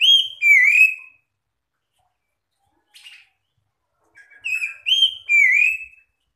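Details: Oriental magpie-robin answering other magpie-robins with loud, sweet whistled phrases that slide up and down. A burst opens the recording, a brief soft note follows at about three seconds, and a longer run of three to four phrases closes it.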